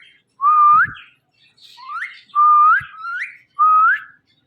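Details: Pet Indian ringneck parakeet, described as saying "Mittu", repeats whistled syllables that rise sharply at the end, four or five in quick succession with faint chatter between.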